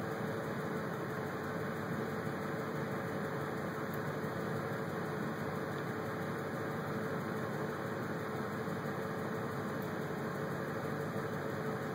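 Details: Only a steady, droning engine or fan hum fills the recording, with no animal voice.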